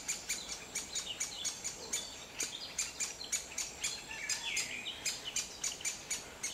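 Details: Juvenile great spotted woodpecker being fed by its parents in the Grésivaudan valley in May, calling with sharp, high, squeaky notes repeated about three times a second in a steady insistent series, with faint background birdsong.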